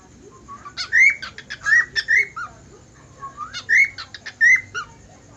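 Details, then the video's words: Budgerigar whistling in two bursts of loud, clean notes, each a run of rising and falling slurred whistles with short chirps between, separated by a brief pause in a quiet setting. "suara parkit australi bersiul"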